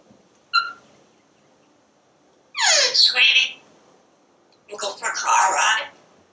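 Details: Talking parrot kept as a pet, commenting from a screen porch as squirrels and birds pass: a brief click, then two harsh, speech-like phrases about a second long, separated by quiet gaps.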